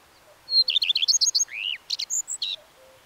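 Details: A common redstart sings one phrase: a high introductory note, a fast series of repeated downward chirps, a lower sliding whistle and scratchy high notes. Faint low whistles sound in the background.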